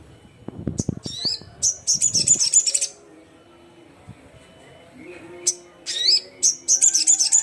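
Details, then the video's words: Repeated bursts of shrill, fast, high-pitched twittering trills from a crimson sunbird calling rivals, separated by short pauses and rising squeaks, with some knocking sounds early on. "SUARA BURUNG SOGON GACOR KERAS, GACOR JUARA"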